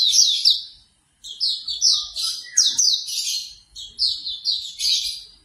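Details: Shrill, rapid chirping song of a Hume's white-eye, a string of quick descending notes after a short pause, used as morning therapy to make a bird start singing.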